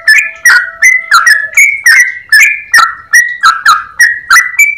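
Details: Yellow-vented bulbul in a long, rapid, clear-voiced ropel song: a dense run of short whistled notes, each sliding between two pitches, about three per second with sharp clicking attacks, one low steady tone beneath early on.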